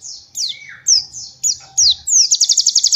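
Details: Young-bird training song of a white-eye: a falling whistle, several sharp high downslurred notes, then a run of evenly spaced, very rapid high trill notes at the end, the 'nembak' style.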